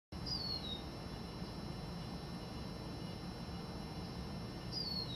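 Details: Lesser goldfinch (Spinus psaltria) near a home in San Diego giving two thin, high, plaintive whistles that slur downward, about four seconds apart, over a steady low rumble of wind or distant traffic.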